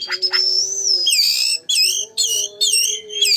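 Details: Magpie-robin lure song to excite a rival into singing: a long sustained high whistle followed by three loud, repeated phrases of bright downward-slurred notes, with a low steady tone in the background.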